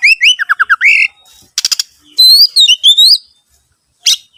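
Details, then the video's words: Lure song of an Oriental magpie-robin for prompting other birds to sing: a quick series of descending whistled notes, then a harsh buzzy burst, then looping warbled whistles and a final short rasp. "PANCINGAN SUARA BURUNG KACER//ISIAN ISTIMEWA SUPER GACOR BIRUNG KACER"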